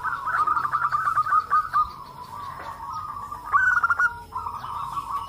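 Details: Many local zebra doves calling together and answering each other, used as a lure to get other doves to call; overlapping stuttering cooing notes, rapid at first, then a longer rolling phrase and a higher burst near the end.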